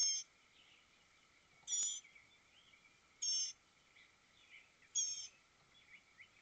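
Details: Northern mockingbird near grown nestlings, 23 May 2021, 9:54 in the morning: three brief high raspy bursts about every one and a half seconds, faint chirps between over a constant background hum.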